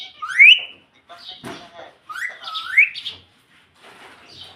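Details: Talking ringneck parrot kept at home, giving two shrill, upward-sweeping whistled syllables two seconds apart while imitating "mommy", with soft raspy chatter between.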